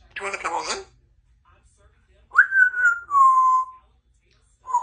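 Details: A 2-year-old female Congo African grey parrot, kept as a pet in a country home, gives a brief speech-like burst, then a clear whistled tone that jumps up and slides gradually downward, ending with a short note.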